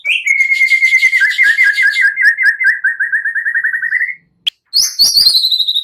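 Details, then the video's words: Lively white-rumped shama song meant to rouse other birds into singing: a long, steady trill of rapid repeated notes at middle pitch that rises at its end, a short pause, then a bright high whistled series. "Pancingan MURAI BATU GACOR"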